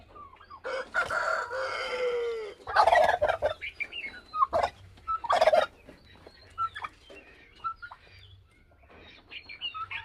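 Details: Bourbon Red turkey calling: a loud, rattling, harmonic burst of nearly two seconds, then shorter harsh bursts around three and five and a half seconds, with scattered fainter fowl calls in between.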